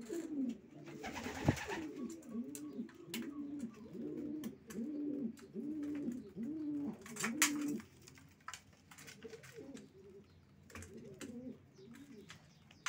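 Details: Racing pigeons cooing in a steady run of arched, bubbling phrases about every half second for eight seconds after an opening flutter, then softer scattered coos over light clicks and scuffles.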